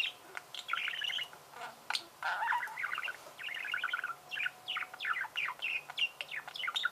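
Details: A budgerigar keeps up a steady, fast warble of chirps, chattering trills and squeaky whistled notes, strung together almost without pause, with sharp clicks scattered through the run.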